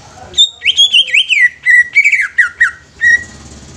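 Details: Young greater green leafbird singing, used as a lure to stimulate other leafbirds: a run of loud, clear whistled notes, rising and falling slurs and sweeping phrases around one pitch band, with brief pauses between bursts, in a quiet indoor setting.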